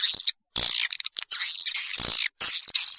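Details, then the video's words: Swiftlet lure call from 2021, meant to draw young swiftlets into a new nesting building: bursts of buzzy, high chattering twitter, broken by short silences and a few sharp ticks. "suara walet terbaru 2021"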